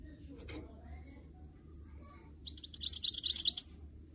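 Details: Canary and goldfinch cross, a goldfinch mule, in song during motivation training: after scattered clicks and a faint thin whistle, a one-second outburst of rapid, high, jingling twitters rises in loudness before stopping.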